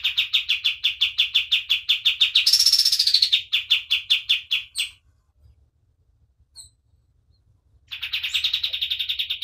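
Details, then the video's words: Rapid run of high, evenly spaced chirps from a white-eye, swelling into a bright buzzy trill, then stopping for a few seconds before another quick chirping burst. "KAPAS TEMBAK GACOR DOR"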